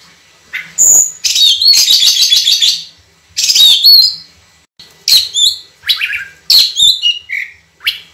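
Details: White-rumped shama (kacer) delivering a long, clear, rich song of loud chattering trills, whistled slurs and sharp chirps in rapid bursts with brief gaps, no other sounds clear.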